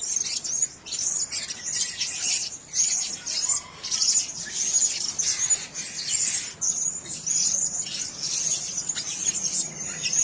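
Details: Several blue-crowned hanging parrots in one cage keep up a steady, shrill twittering of very high squeaks, loosely repeated about ninety times a minute with short quiet breaks.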